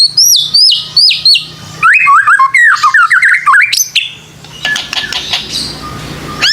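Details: Shama song played as a lure to coax young birds into singing: repeated high downslurred whistles, then a fast warbling run of looping notes, ending in softer scratchy calls and a rising whistle.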